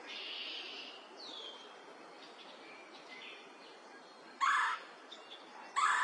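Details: Male red-bellied woodpecker calling at Woodstock, New Brunswick, on May 3, 2025: two loud, short, harsh rolling notes near the end, about a second and a half apart. Faint thin whistles from other birds sound earlier over a steady background hiss.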